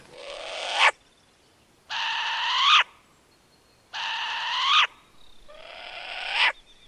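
A short-eared owl gives four harsh, raspy screeches, each about a second long and rising in pitch at the end, repeated every two seconds.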